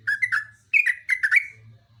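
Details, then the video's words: Gacor song of a Yellow-vented bulbul, two quick bursts of warbling, bubbly whistles that rise and fall in rapid succession, loud and close, with a soft low hum behind. "kicauan trucuk super gacor"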